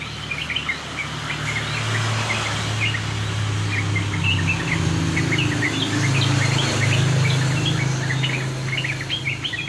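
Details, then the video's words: Yellow-vented bulbul singing after a morning dew bath. Quick, bubbly chirped notes come in a steady, busy stream with short gaps between phrases, over a loud, continuous low hum like an engine. "Pakai Cara ini agar burung Trucukan gacor terus MANDI EMBUN PAGI"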